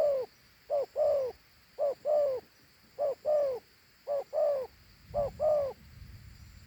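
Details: Steady paired coos from a Thổ Hú dove, a big fine bird: each a short note followed by a longer, softly descending one, about six pairs in even succession, with a faint low rumble near the end.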